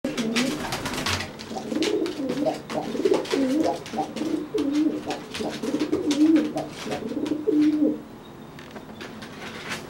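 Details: A dry pigeon puffing itself up to threaten a wet, flightless pigeon after bathing: a run of low, throaty, warbling coos through most of the ten seconds, with sharp tapping clicks at the start.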